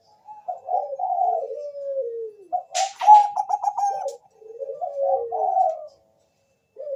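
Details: Bangkok zebra dove, a champion singer, whose song serves as a lure to set other doves singing. Soft gurgling coos slide downward, then a louder rapid rolling phrase with crisp clicking overtones, followed by more warbling coo phrases.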